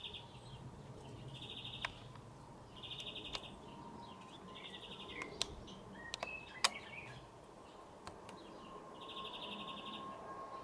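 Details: European greenfinch male perched atop a spruce, producing distant rattled trills in short bursts with pauses, mixed with sharp clicks and a few brief chirps over a low rumbling background.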